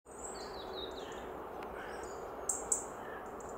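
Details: A European robin gives two sharp, high ticks close together after thin, high, slurred falling notes, over a steady hiss, at Črna pot, Ljubljansko barje, Slovenia, on 2 November 2023.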